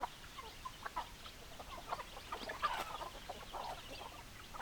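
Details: Hens clucking, with short clucks and calls scattered over a busy, noisy background.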